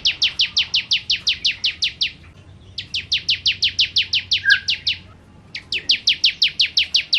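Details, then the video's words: Bar-winged prinia of the 'kristal' variety singing in the 'nembak' style: three rapid bursts of ten or more crisp, high, sharply falling notes, separated by pauses of about a second, with a quiet lower chirp between. "Ciblek Kristal Gacor Nembak Nembak"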